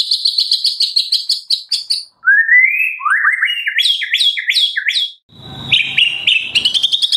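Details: White-rumped shama from Medan in full fill-in song: a rapid high trill, rising slurred whistles, a series of sharp descending notes, then chattering phrases over faint low noise.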